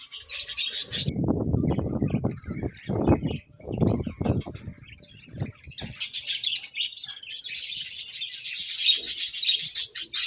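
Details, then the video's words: Budgerigars chirping in the morning: a high warbling burst, then several seconds of low rumbling thumps and flutters, followed by a long loud stretch of dense scratchy chatter. "𝑩𝒖𝒅𝒈𝒊𝒆𝒔 𝑪𝒉𝒊𝒓𝒑𝒊𝒏𝒈 𝑺𝒐𝒖𝒏𝒅𝒔 𝑰𝒏 𝑻𝒉𝒆 𝑴𝒐𝒓𝒏𝒊𝒏𝒈"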